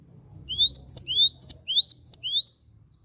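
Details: Cinereous tit lure recording for prompting other birds to sing: a steady phrase of four clear, rising, high whistles interleaved with short sharp notes, about two seconds long over faint low hum.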